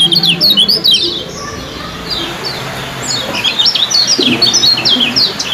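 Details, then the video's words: Caged yellow-bellied prinia (kecial kuning) used in song contests, chattering a quick series of sharp, high chips at roughly three per second, pausing briefly, then resuming faster. A faint low hum and murmur sit beneath. "suara KECIAL ciak joss"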